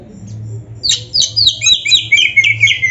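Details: Oriental magpie-robin (kacer) in vigorous song to rouse silent caged birds; after a short hush, a tumbling stream of high chattering and whistled notes, building to loud falling slurs, over a low hum.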